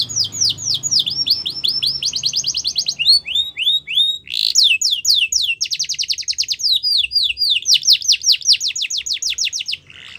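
A Yorkshire canary sings a fast, continuous song of high trills and rolling note series, switching to a new repeated phrase every second or so.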